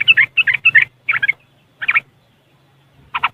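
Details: Riwikan chatter of a yellow-vented bulbul, or trucuk, phone-recorded in West Java, Indonesia, and used as a lure for caged birds: short bursts of rough chirps, then isolated notes after pauses, over a faint low hum.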